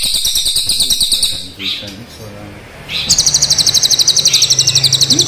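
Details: Crested jay, black versus brown forms, firing long rolls: a rapid buzzing rattle that fades out, a quieter gap with low background murmur, then a strong, even, very fast mechanical roll running over two seconds.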